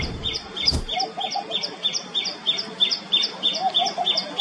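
A common tailorbird repeats a loud, high two-part chirp about three times a second. A brief knock near the start and faint lower bird notes sit underneath.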